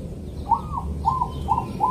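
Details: Zebra dove from Kediri, East Java, singing its calm morning rhythm used to prompt other zebra doves to sing; a longer opening coo, then quick paired whistled notes repeated at a steady pace over low background hum.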